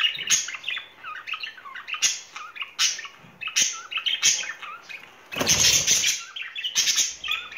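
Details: Budgerigar pair courting in spring, caged as pets: busy chattering warble of short rising and falling chirps and squeaks, with a few harsh bursts near the end.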